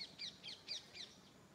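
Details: Unidentified bird calling in the morning outdoors: five short, sharp, high chirps spaced about a quarter second apart, over faint background noise.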